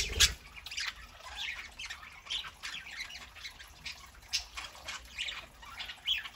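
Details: Several pet parakeets on a Saturday morning, busy scratchy chatter of short squawks and chirps, a sharp knock at the very start, calls continuing unevenly throughout.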